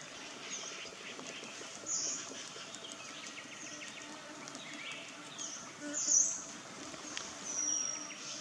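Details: Swinhoe's minivet at Nam Nao gives short, very high, thin metallic trilled calls spaced a few seconds apart, over a steady hiss of background noise.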